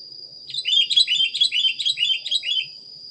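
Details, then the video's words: A rapid, bubbling run of about a dozen bright chirps from a sooty-headed bulbul on a training recording, delivered in a lively burst with a constant high hum underneath. "suara masteran kutilang anti gagal"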